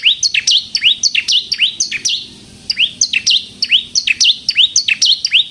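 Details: Lively bar-winged prinia song for luring birds and provoking them to sing: high-pitched chirps with a falling-then-rising swoop, about two per second, in two runs split by a short silence.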